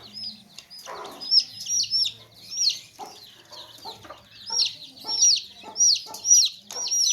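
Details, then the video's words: Baby chicks in a basket call with high, sharp, slurred peeps in bursts about every half second; low hen clucks sound faintly between them. "Baby Chicks Chirping Sounds In Tokri | Chicken's Chicks Sounds and Chickens Clucking Sounds"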